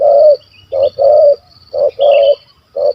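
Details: Spotted dove with a big, stammering voice in kuk 1 2 style, hunted in Malaysia. Three pairs of deep coos, a clipped note followed by a longer one, with thin high chirps above.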